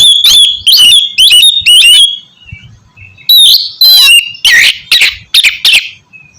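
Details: Loud 'ngeplong' song of an oriental magpie-robin, used to coax silent birds into singing: four rapid strident notes, a brief pause, then a second burst of varied buzzy, slurred notes.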